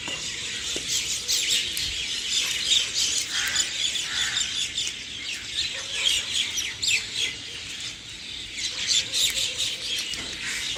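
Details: Early-morning birds chirping together in a dense, continuous chorus of high, quick tweets and trills, several sharp chirps per second overlapping throughout, with steady soft ambient background.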